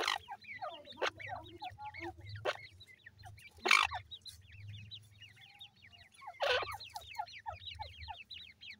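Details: Grey francolin chicks in their new season: steady streams of high, falling peeps from several birds, with two loud thumps and a brief low tone in between.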